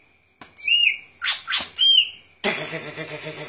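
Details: Golden-fronted leafbird: two clear whistled slurred notes framing quick sharp chips, cut off by a broad burst of noise.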